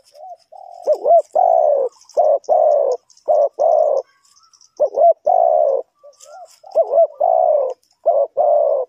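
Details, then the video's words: Spotted dove in Ninh Thuận, Vietnam, used to lure wild birds into traps: repeated phrases of wavering hooked notes and rough, steady coos over nine seconds, with faint high chirps in the background. "The Sound Of the dove,The Sound Of Cuckoo Bird,เสียงนกเขาใหญ่,Bird Trap,Cu gáy Ninh Thuận"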